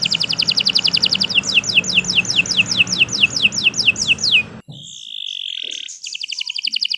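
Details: Canary in long, lively song, used as a master tutor for other birds: rapid high trill moving into a series of downward-swooping notes, a short break, then a held whistle and renewed trilling.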